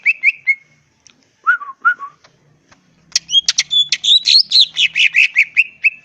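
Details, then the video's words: Greater green leafbird from the wild, its song meant to draw replies from other birds: a few short whistles, two downslurred notes, then a long lively burst of rapid, varied chattering whistles. "pancingan suara cucak ijo full isian bikin nyaut suara burung cucak ijo alam liar"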